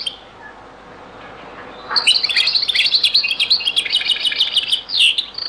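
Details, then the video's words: European goldfinch singing the Beni Messous 'les avocats' (zaboka) style, in a very old recording: after a quiet start, a sustained stream of rapid, high, sparkling twitters and trills runs for over three seconds. "تغريد - تسجيلة جد قديمة بني مسوس ليزافوكا | chant beni Messous les avocats zaboka"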